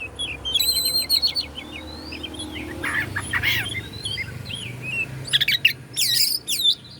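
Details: Oriental magpie-robin (kacer Bandung) singing to rile up rival birds: a rapid series of short upslurred whistles, a few curling notes, then loud clustered chirps toward the end over faint background hiss.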